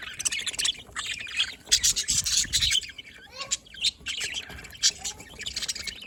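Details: Budgies, recorded on 27 October 2023, keep up dense high-pitched chattering and scratchy warbling, with a short whistled note and a soft low thump partway through.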